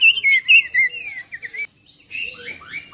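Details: Kacer, the oriental magpie-robin, singing to stir a silent bird into song: quick bright whistled slurs and chirps, a brief pause, then descending whistled notes resuming.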